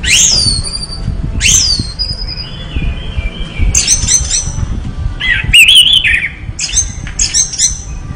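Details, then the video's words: Orange-headed thrush in full song: sharp descending whistles, a long wavering mid-pitched note, and clusters of quick squeaky chirps spread over eight seconds. "anis merah gacor"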